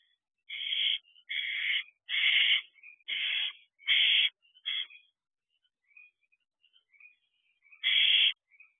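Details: Barn owl young on the perch of an owl box at 10:23 pm in June: a quick run of loud rasping hisses, then a lull of faint thin wheezes, and one final loud hiss.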